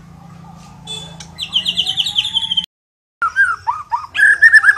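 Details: White-rumped shama (Copsychus malabaricus), a Medan-type songster, sings rich, fluty whistled phrases that rise and fall in quick varied bursts, broken by a brief silent gap, over a low hum.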